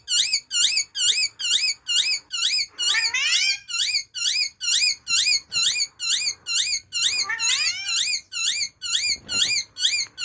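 An Amazon parrot gives a fast, steady run of high, squeaky hooked notes, about two per second, with a few more rasping, tumbling bursts in between.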